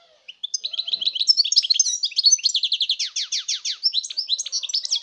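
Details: Continuous 2019 song of a European goldfinch, a fast tumbling stream of tinkling high notes running into rapid repeated downward-slurred chips and liquid twitters, with no pause.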